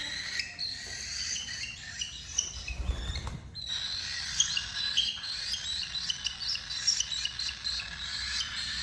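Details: Chirping of a tamed cockatiel family singing together: busy, overlapping high twitters that dip briefly near the middle, with a low rumble of background noise beneath them.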